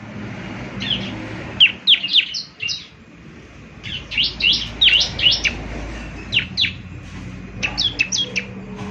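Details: Bar-winged prinia (ciblek) 'gacor' song meant to draw answers from other ciblek. Clusters of sharp, high chirps come in short bursts against a steady background rumble.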